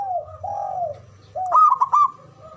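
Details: Zebra dove male calling in the ngoar manggung manner used to excite breeding arousal: long mellow coos followed by a loud cluster of clipped ringing notes, over a faint low hum.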